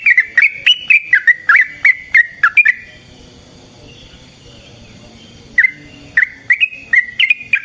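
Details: Yellow-vented bulbul fighting song, used to provoke rival bulbuls into replying: rapid gurgling chirps, a silent gap of nearly three seconds, then the bubbling notes resume.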